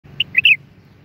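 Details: Common bulbul of the Moroccan type, giving a brief burst of three clear, slightly slurred whistled notes, the last one longer and descending, over a low background hum.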